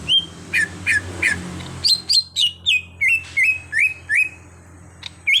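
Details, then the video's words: Greater green leafbird, an untrained bird being brought to sing actively (gacor): loud whistled notes falling then rising, repeated about three times a second, some sharp high slurs between, low hum beneath. "Pandai Membuat Cucak Hijau Bahan jadi Gacor"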